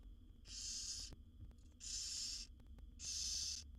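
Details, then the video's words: Harsh rasping hisses from barn owl chicks in a wild nest box, one of seven young begging as the mother brings food. Three drawn-out snoring bursts come at even intervals with a faint background hum. "Barn Owl Mother's Amazing Feeding Routine with Her 7 Babies"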